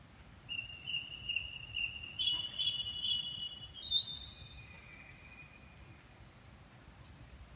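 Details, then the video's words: Birds singing in a garden at 4.30 am. A steady, high whistled note is held for about two seconds, followed by brief higher chirps and sliding notes over a quiet background. "birds singing at 4.30 am"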